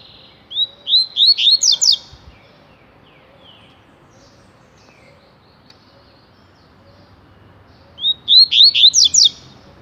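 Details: Rusty-collared seedeater singing its tui-tui song loudly, two bright phrases of about seven quick slurred whistles each, separated by roughly six seconds of near silence.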